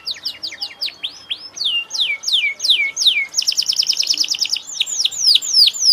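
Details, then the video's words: Energetic canary song with rapid repeated downward-sweeping notes, shifting into a fast even trill in the middle and ending in looser repeated slurred phrases. "kenari gacor"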